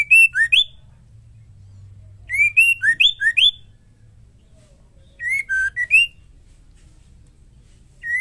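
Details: A female white-rumped shama's song, used to spur male shamas to sing. Loud, pure whistled phrases of three to five notes form three bursts, with quiet gaps and a soft low background hum.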